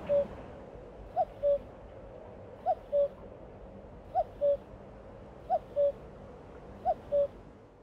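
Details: Common cuckoo (Cuculus canorus) singing at Baie d'Audierne, Brittany, France, late April–early May 2022: classic two-note 'cu-coo', the second note falling, repeated about every one and a half seconds over steady background hiss.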